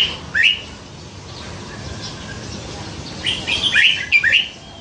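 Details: Red-whiskered bulbul kept nine months in a cage after being rescued young beside a canal, known for a wide song repertoire; one short chirpy phrase at the start, then a rapid run of bright, slurred, warbling notes near the end.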